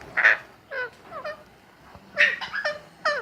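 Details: Alexandrine parakeet chick being cared for at the Sunday market in Lalukhet: rough squawks and quick falling nasal notes in two clusters, separated by a brief pause, over faint background noise.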